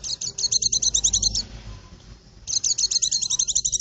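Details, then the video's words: High, fast twittering of a white-eye, a song used to lure birds in the forest, two long runs of quick chirps broken by a brief pause, over steady low background noise. "suara burung pleci ampuh buat pikat di hutan"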